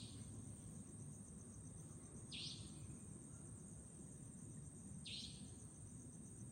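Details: Savanna nightjar at Chunghsing New Village, Nantou, Taiwan, 11 April 2018, gives two sharp, high, rasping 'tchreep' notes about three seconds apart over a steady low rumble of background noise.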